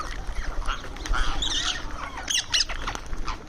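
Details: Indian ringneck parrot making sounds while eating during daily terrace feeding: rough, scratchy squawks and short nasal notes, with quieter chirping and low background rumble.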